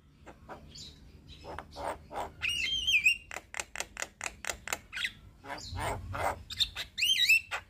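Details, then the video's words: Black-winged starling, a captive bird, singing as a lure to coax quiet or stressed birds: dense run of sharp clicks and chatter with bright whistled notes sliding down around the middle and end. "Terapi Jalak Kebo Malas Bunyi / Jalak Kebo Stres Gak Mau Bunyi - Pancingan Burung Jalak Gacor"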